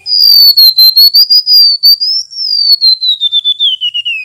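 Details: Loud rolling song of a male mangrove whistler, a long unbroken run of quick pulsed whistles that wavers level, rises briefly, then slides steadily lower toward the end; clean recording without background noise.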